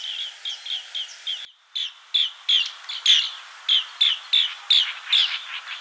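Green bee-eater giving a steady series of short, high, trilled chirps, about two or three a second, with a brief break early on and faint background hiss.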